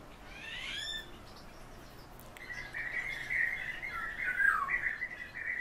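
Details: Common house martin calling: a few short rising chirps at the start, then a long run of fast, buzzy twittering at a steady mid pitch. The twittering wavers and fills the last half of the recording.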